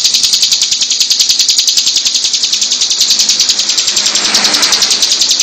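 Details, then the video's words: Hill prinia delivering a long, tight 'tembakan' song. It is a close, loud, continuous chain of fast, even, high-pitched buzzy pulses running without a break. "CIBLEK GUNUNG EDAN GACOR TEMBAKAN RAPAT SUPER PANJANG"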